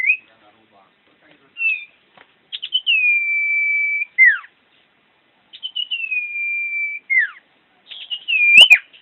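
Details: Common iora, a champion bird in full song: long steady whistles that swoop down at the end, given about three times with short gaps and soft chirps.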